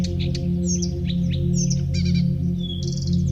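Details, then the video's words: Birds singing on a sunny morning walk: short high chirps, quick downslurred whistles and a buzzy trill near the end, layered over a steady low humming music drone like a singing bowl. "birds singing"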